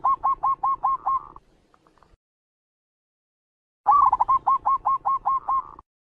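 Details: Local zebra dove, a lure recording for trapping wild doves: clear series of about seven short, evenly spaced hooting notes, a pause of over two seconds, then a similar series repeated.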